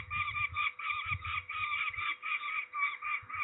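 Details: Peregrine falcons at Trzebież, Poland, on 13 May 2019 during ringing: harsh, nasal calls repeated in quick rhythmic bursts with short pauses, over low rumbling handling noise.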